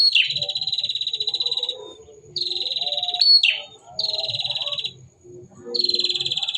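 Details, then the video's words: Singing male bar-winged prinia delivering loud, harsh buzzing trills over a second long, one ending in a sharp up-down sweep, separated by brief quiet gaps; soft low rumbles in the background. "burung prenjak girass"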